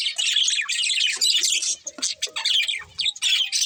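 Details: Chirping budgies in loud, scratchy, high-pitched warbled phrases, broken by a few quieter moments near the two- and three-second marks.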